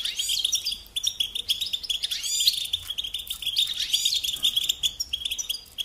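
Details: European goldfinch song intended for teaching young birds: dense, energetic twittering with buzzy rattles and swooping whistled notes, strongest early on, then steadier chirping to the end.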